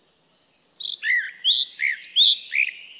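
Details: Song thrush singing: a series of varied, clear whistled and slurred notes, some dropping in pitch, given in quick bursts with short gaps between them. No other sounds intrude.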